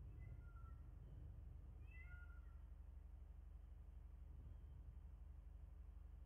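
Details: Bald eagles at a nest in Miami-Dade County, Florida, on the morning of 22 January 2024: thin, high, slightly descending whistled notes in a brief cluster, faint over a steady low hum.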